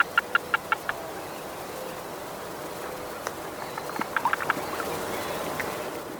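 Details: Western grebe chatter on water just before diving: two quick runs of five or six sharp clicking notes, over a steady background hiss.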